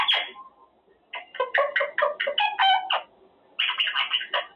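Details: Male Quaker parrot talking in his cage, a short squawk followed by a run of choppy, voice-like syllables and then a longer grating phrase.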